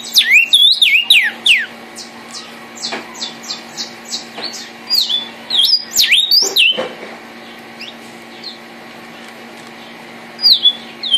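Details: Red vermilion cardinal song: rapid run of loud downslurred whistles, then a string of short clipped notes, another slurred burst around six seconds, silence, and a final whistled phrase, with a constant low hum beneath.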